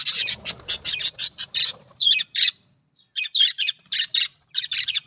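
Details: Australian budgerigar calling in a busy run of short buzzy, scratchy chirps and squawks, about a dozen bursts in quick succession, a brief pause, then more rapid chattering notes.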